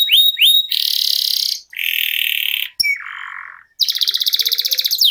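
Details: Caged canary singing a long "ngerol" rolling song used as a master recording for contest songbirds. Loud high buzzy rolls and rapid trills alternate with a lower churring roll, ending in a fast pulsed trill.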